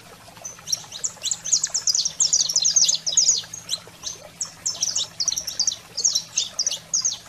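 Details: Saffron finch delivering a wild, fired-up song to stimulate canaries: bright high chirps grouped in short rattling clusters, busiest early on, later broken into separate bursts with brief pauses, over a low hum.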